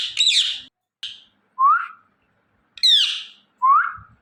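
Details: Indian ringneck parrot mixing a rough squawk and short chirp with clear upslurred whistles and a descending harsh call, each note separated by brief silences.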